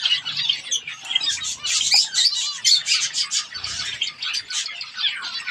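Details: Baby zebra finches, captive, starting to feed themselves for the first time, giving a dense, continuous stream of harsh, buzzy, high squawking calls in overlapping bursts, loud and close throughout.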